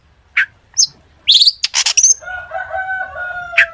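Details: Long-tailed shrike song full of imitations, aimed at prompting other shrikes to sing: a few isolated chirps, then a quick burst of buzzy, crackling notes, followed by a steady tone with faint chirps.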